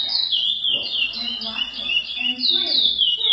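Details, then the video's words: A captive-bred lesser seed finch (curió) gives a rich, continuous run of clear, sliding whistles, rising and falling in flowing phrases of the classic praia song style. "Curió Canto praia clássico"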